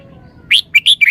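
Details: One brief, bright phrase from a red-whiskered bulbul's sweet three-syllable song, with quick, ringing, whistled notes rising and falling in rapid succession.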